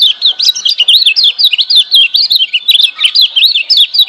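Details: Lemon-bellied white-eye, a wild-caught Lombok bird used as master song to spur quiet birds into singing, pours out a fast, unbroken warble of high twisting notes, loud and bright, with tiny ticks above.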